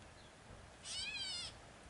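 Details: A catbird on the Red Deer River bank at Patrici Park, Drumheller, Alberta, gives a single cat-like mew, a nasal slurred note lasting just over half a second, against a quiet background.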